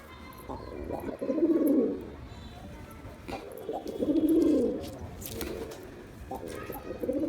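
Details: Male pigeon performing to attract a female, repeating deep, bubbling, rising-and-falling coos roughly every two and a half seconds, three phrases in all, over faint background noise.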